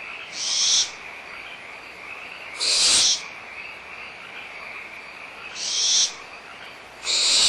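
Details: Barn owls at Audubon Starr Ranch Sanctuary in April 2011, young squabbling and agitated over a leftover meal with the mother near: four harsh, breathy screeches at uneven spacing against a steady frog chorus.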